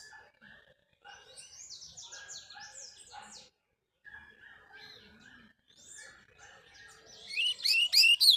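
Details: Double-collared seedeater, a tournament bird, trained in the wild bush; rapid twittering notes and short buzzy slurs in bursts with brief pauses, ending in a louder, denser run of high chirps.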